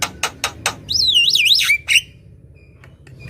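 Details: Javan myna singing gacor, meant to lure birds and get quiet birds going: four harsh rasping bursts, then a long wavering whistle that rises and falls, ending in a short squeal.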